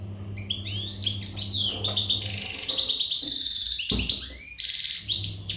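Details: European goldfinch, al-Gharb type, untutored, singing with strength while in breeding readiness: varied sweeping whistles, buzzy trills and rapid tinkling notes, with a brief break before resuming, over a low steady hum.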